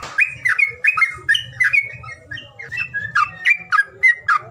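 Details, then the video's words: Bird calling with quick, squeaky, slurred chirps in an uneven run of roughly three notes per second, over a steady low background hum. "SUWARA PANGILAN BURUNG"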